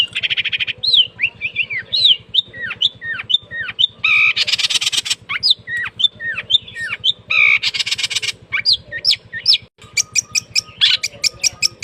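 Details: Caged long-tailed shrike (cendet) singing energetically once its cage cover is removed, mixing quick whistled slurred notes with harsh buzzy bursts and sharp repeated ticks toward the end; low steady hum in the background.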